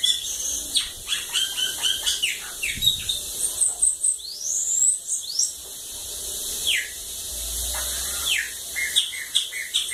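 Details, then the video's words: Bananaquit near a lagoon giving high, sharp chirps and quick downslurred notes in loose bursts, with a short thin squeaky run in the middle and a quieter stretch of background hiss. "Sibite cachorro loco da lagoa d'água"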